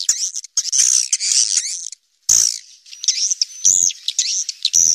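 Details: Wild swiftlets calling in a cave with loud, shrill, buzzy chirping bursts, a short silence, then thin whistled squeaks and sharp clicks.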